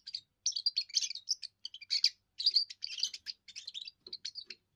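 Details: Young European goldfinch singing its first song, meant to claim territory and attract a mate; almost continuous rapid twittering with tinkling, slightly buzzy notes and brief pauses between fluent phrases.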